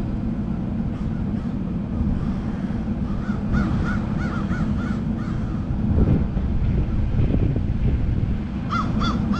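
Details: Crows from a murder of crows give harsh caws, a quick run of about six between three and five seconds and a tight burst of three near the end, over a constant low rumble.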